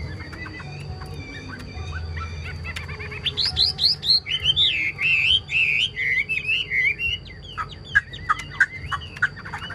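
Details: Chinese hwamei kept in a cage, noted for strong singing: soft chips give way to a rapid rising series, then rolling, melodious whistled phrases and a few closing staccato notes.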